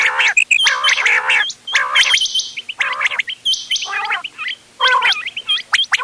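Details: Mixed quail calls used for hunting, dated 31 October 2025: harsh, gargling, buzzy bursts about once a second, layered with thin high chirps and sharp upward flicks from several overlapping birds.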